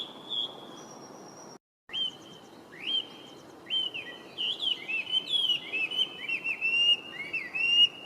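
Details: Song of a Chinese hwamei, an introduced resident, recorded 23 November 2025: rich varied whistles, upslurred and looping notes building into a fast, continuous warbled phrase, with light background noise.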